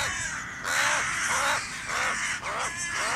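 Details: Crow calling while fighting a goshawk, a few rough drawn-out caws about one per second amid dense rustling noise.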